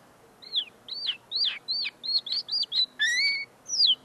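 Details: Tame common linnet, still perfecting its song, singing just in front of the recordist: a series of looping, down-curved whistled notes, one steady twangy note, then a final falling chirp.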